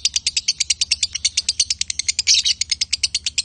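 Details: A male and female lovebird deliver quick, rattling high-pitched notes in a fast even series, one slightly harsher burst midway.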